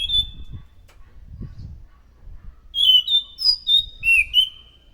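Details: Chestnut-capped thrush used as a lure sound: one high whistle, a stretch of low background rumble, then a loud quick run of five or six varied whistled notes, rising and falling.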